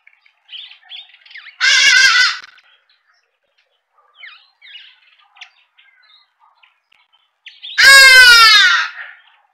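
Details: Hadeda ibis giving two loud, harsh, nasal calls, each about a second long with rich falling overtones, spaced roughly six seconds apart; faint chirps of small birds fill the quiet gaps between them.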